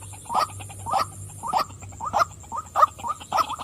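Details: Female white-breasted waterhen repeating coarse, nasal 'wak' calls at a slightly slower, uneven pace, about seven notes, with a faint continuous high whine in the background.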